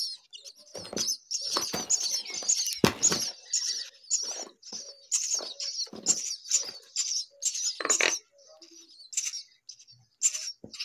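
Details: Hungry baby myna giving steady high wheezy begging notes, with many harsh raspy bursts and clicks scattered throughout.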